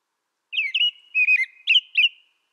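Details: An American robin gives a brief burst of liquid, whistled song phrases, about four or five notes slurring up and down, against silence.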